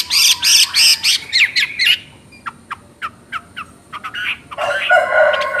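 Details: Chinese hwamei in full chattering song: dense loud warbled notes at the start, then a sequence of sharp, short ticking notes, ending in a rough, buzzy phrase.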